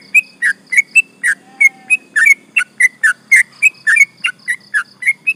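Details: Sooty-headed bulbul delivering a long 'ropel' run, sung to goad other birds: rapid, bubbly whistled notes, about three each second, varying slightly in pitch. A soft drawn-out tone appears briefly and a low hum persists behind.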